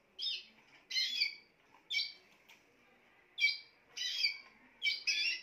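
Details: Singing Spanish timbrado canary: clipped, chiming bursts of layered notes in quick groups, separated by short silent gaps.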